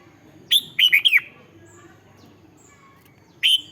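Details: Red-whiskered bulbul in a cage, its song played to rouse caged birds: one lively phrase of a high note followed by three tumbling, slurred whistles, then a long pause and a single clear note at the end.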